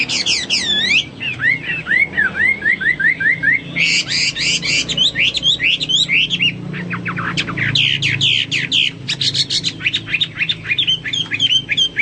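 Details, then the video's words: Hwamei in full, lively song for tutoring pet birds: looping falling whistles repeated in series, then dense bursts of sweeping, rising and falling notes and fast trills that run almost without pause. "Burung Hoa Mi gacor"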